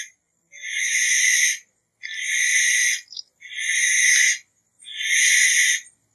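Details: Barn owl calling with four harsh, rasping screeches, each just over a second long, spaced about a second and a half apart against a quiet background.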